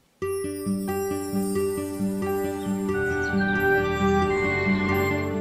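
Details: Gentle instrumental music with sustained tones and bell-like chimes.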